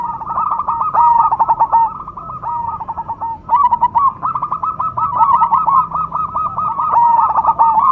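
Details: Zebra dove of the cemani type singing: dense runs of quick, bubbling coo notes around a steady mid pitch, rolling into a purring trill and repeated almost without pause, with more than one bird seemingly overlapping.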